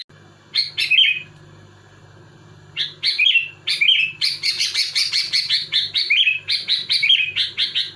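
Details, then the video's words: Sooty-headed bulbul singing densely to pressure rival bulbuls: bubbly whistled phrases building into a rapid rhythmic string of bright chirps, over a steady low hum. "Suara burung kutilang gacor muntahin isian tembakan rapat menekan lawan bikin kutilang lain emosi"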